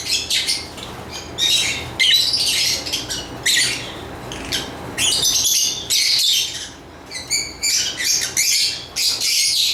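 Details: Shrill, scratchy lovebird chirping and squawky chatter in dense bursts lasting about a second, broken by brief gaps, fairly loud and continuous throughout.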